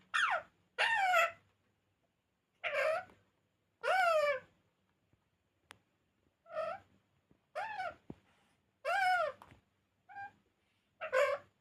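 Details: Pet parrot talking in a small room: a run of short, tonal, rising-and-falling vocal bursts of varying length, some clipped and some longer, with brief silences between.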